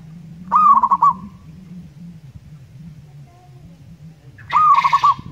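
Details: Zebra dove of a local wild type sings two short rolling coo phrases of quick, evenly pitched notes, spaced about four seconds apart, over a steady low background drone.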